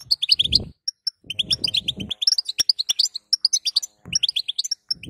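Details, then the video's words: European goldfinch female calls meant to get a male singing: bursts of high, chattering twitters with pauses between, accompanied by repeated low rustling and faint handling noise. "بتبته حسون لتهييج ذكر"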